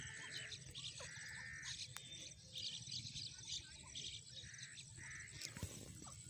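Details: A Grey francolin in an open area where birds feed on green grass gives harsh, ringing calls about once a second. Bright chirps from other birds and a low background rumble are also heard.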